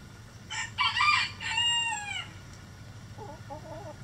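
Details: Rooster crowing in a backyard chicken coop: a loud, harmonic cock-a-doodle-doo of several strained syllables, the last one drawn out and falling, followed by soft quick clucks over a steady low hum.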